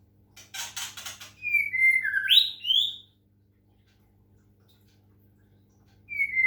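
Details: Caged white-rumped shama from Medan, Indonesia, played water sounds as therapy to make it sing: a burst of rapid scratchy notes, then clear whistled phrases sliding between low and high pitches, a short pause, then another whistle.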